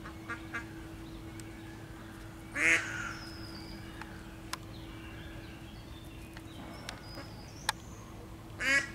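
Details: Female mallard at Łazienki Królewskie, 4 May 2023, desperately calling her ducklings trapped in a deep tree-hole nest: two loud, harsh, nasal quacks several seconds apart, with faint high chirps of small birds in the background.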